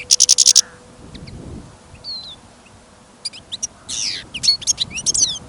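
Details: European goldfinch held in a cage for listening, singing confidently despite sudden snow and wind on a trapping outing; opens with a fast bright trill of about eight notes, then sparse chips and a buzzy, twittering phrase.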